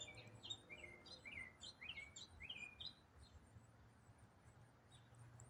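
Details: During autumn, a songbird pours out a non-stop complex song: a lively jumble of sharp chirps and twisting whistles for about three seconds, then quieter, with background hiss and a low hum.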